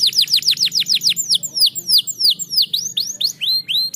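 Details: Canary singing, used to encourage lazy canaries to sing: clear downward-sweeping whistled notes repeated steadily, roughly three or four per second, with faint high chips between them and quiet background.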